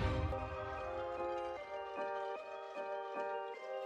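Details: Chiming mallet music, like glockenspiel or bells, with ringing sustained notes and no animal sound.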